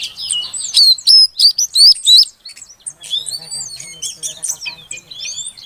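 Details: Calling female oriental magpie-robin meant to coax a silent male into singing; loud clear whistled notes repeat rapidly for two seconds, followed by a quieter jumble of sweet rising and falling whistles.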